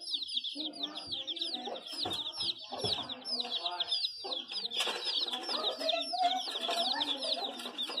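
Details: Many chicks peep together in a dense, continuous chorus of high, short, downslurred chirps, overlapping without pause, with lower clucking and muffled sounds beneath.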